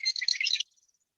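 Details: Marsh wren song played back as a recording at Yolo Bypass Wildlife Area on 4-10-2021; a tiny bird of tules and cattails whose males sing to mark territory borders. A rapid, buzzy rattle of high chattering notes lasts about half a second, then stops.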